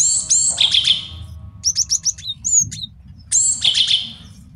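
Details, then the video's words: Male Java sparrow singing, a master song for training and lure-trapping: bright high trilled phrase, a run of rapid chip notes with whistles, then the trilled phrase again. "MASTERAN GELATIK BATU JANTAN BAGUS BUAT MIKAT DAN MASTERAN BURUNG JAWARA"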